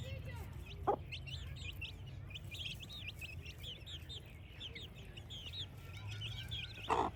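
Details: Baby chicks at play, peeping constantly: rapid, high, falling chirps overlapping from several chicks, with two sharp knocks near the start and end.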